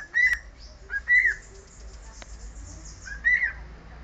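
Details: A pet cockatiel whistles part of the Sport football club anthem, giving three sharp, bright whistled notes with small upward flicks, a faint click, and low background hum.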